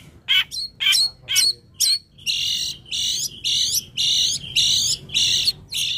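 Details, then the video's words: Long-tailed shrike singing energetically: a few sharp downslurred notes, then loud, buzzy, harsh notes repeated about twice per second, with steady low background noise. "Burung Cendet |Toed Gacor Abis"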